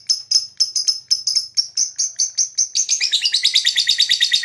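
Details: Lovebird chirping to attract other birds: quick, sharp high notes that speed up into a fast, jumbled chatter near the end.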